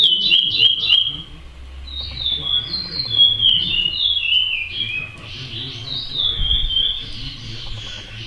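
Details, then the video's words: Praia-style song of a chestnut-bellied seed finch (curió): flowing sequences of sweet whistled notes sliding up and down, repeated in phrases for several seconds and fading softer toward the end, over a low background rumble. "CURIÓ PRAIA CANTADOR"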